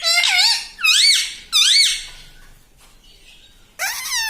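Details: Pet parrot kept indoors, mimicking words such as "mitthu" and "mummy": three loud, squeaky rising-and-falling phrases about half a second each, a quiet gap, then another nasal phrase in a small room.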